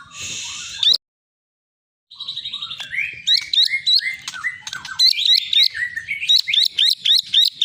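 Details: Champion long-tailed white-rumped shama from Medan in full varied song: a buzzy opening phrase, a brief pause, then fast sharp chips and rapid repeated whistled notes building in intensity.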